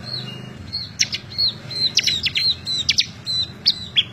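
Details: Bar-winged prinia singing in a recording meant for tutoring other birds, from May 2017: short, high, level whistled notes alternate with sharp, quick chips, and a soft low hum sits underneath.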